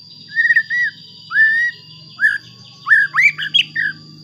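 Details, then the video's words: White-rumped shama song used to provoke other shamas into singing, a mix of drawn-out whistles around mid pitch followed by quicker rising and falling whistled notes, with a steady high electronic tone underneath. "Pancingan Murai Batu Agar Bunyi Ampuh Bikin Emosi Murai Batu Lain"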